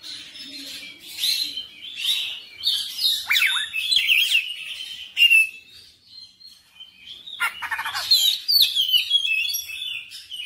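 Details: An oriental magpie-robin pours out its full repertoire in energetic, persistent song, with a steady stream of whistles, harsh rasps and quick chips, one loud sharp note near the middle, and dense varied phrases to the end.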